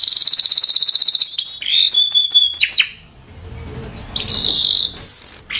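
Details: Timbrado canary song beginning with a rapid buzzing trill, then sharp whistled slurs and a steady note, a short quiet gap with low background hum, and further whistled phrases.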